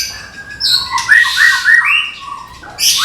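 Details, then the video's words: Caged white-rumped shama from Medan delivering 'tembakan' shooting song: a quick string of rising whistled notes, a harsh noisy chatter over them, then a sharp high note to finish. "SUARA TEMBAKAN MURAI MEDAN"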